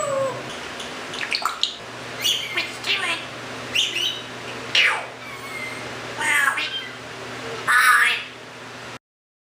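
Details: Indoor Timneh African grey parrot from a bird rescue, vocalizing and mimicking: a string of short, speech-like harmonic syllables and squawky bursts, spaced about a second apart, with a low steady hum beneath.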